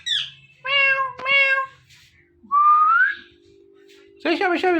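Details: Pet ringneck parrot pair, male and female, calling while mating before a mirror: a steady harmonic mewing note, a clear upward-sliding whistle, then a harsh buzzy squawk, with a faint low hum behind.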